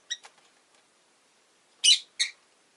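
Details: Pet rosy-faced lovebird chirping: a short harsh note at the start, a quiet gap, then two loud, buzzy chirps in quick succession toward the end.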